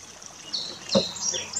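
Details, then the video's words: Male purple finch, one of a pair that recently arrived in a Quebec backyard for the summer, sings a brief run of high, slurred warbling notes, some falling, over a soft rush like running water. "Roselin pourpré, chant / Purple finch, song"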